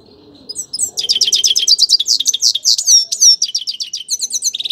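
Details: A grey-crowned goldfinch bursts into song after a quiet start, pouring out rapid high twitters and liquid slurred notes, ending in quick repeated chirps.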